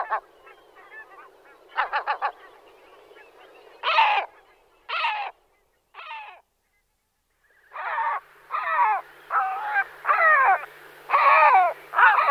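Great black-backed gull giving deep, hoarse barking calls in short irregular bursts, about one a second, with softer chattering notes at the start.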